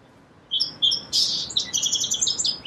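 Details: Song sparrow song starting after half a second of silence: two clear whistled notes, a harsh buzzy note, then a rapid cascade of high chips and short trills.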